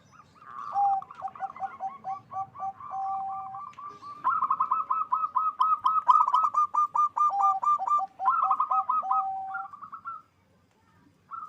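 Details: Loud local zebra dove in full song, used to boost mating drive: long chains of rapid bubbling coo notes, high and low phrases alternating and overlapping, ending in a short silence and a final coo.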